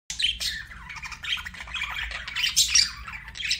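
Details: Budgerigar chirping: a dense, continuous stream of quick, scratchy warbles and squeaky chirps, high and bright, rising and falling in short bursts with louder peaks near the end.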